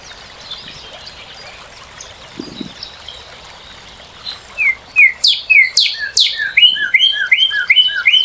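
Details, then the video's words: Northern cardinal song beginning after a quiet stretch of faint background chirps, then a run of sharp down-slurred whistles turning into rapid repeated two-part notes. "Cardinal:Découvrir le chant et la beauté du Cardinal du Nord"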